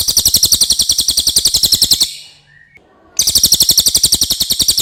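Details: Common iora singing clearly, recorded as a master for songbird training. A fast trill of high, ringing notes pauses for about a second, with a faint soft note in the gap, then continues.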